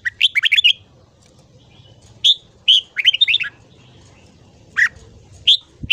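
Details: Morning song of a red-whiskered bulbul, used for voice training: a rapid string of warbling notes, then scattered sharp whistled notes and a second short phrase, with a soft low hum underneath.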